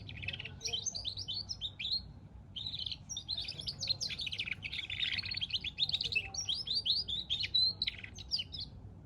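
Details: Hybrid of goldfinch and canary performing a long, nearly unbroken stream of high warbling twitters and trilled phrases, lively and rich, with a low background hum.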